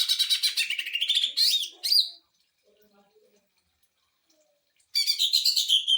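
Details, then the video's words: Greater green leafbird song used as a training recording to provoke other birds: rapid sewing-machine-like trilled phrases, buzzy and repeated quickly, a short break, then another fast trill. "CUCAK IJO TEMBAKAN MESIN JAHIT UNTUK MASTERAN DAN PANCING EMOSI"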